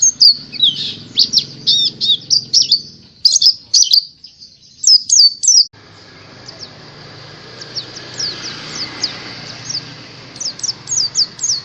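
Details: White-eye from Indonesia's songbird hobby, giving rapid high chirps and short trills in loud bursts, then after a sudden cut a quieter stretch of scattered thin notes over a steady hiss.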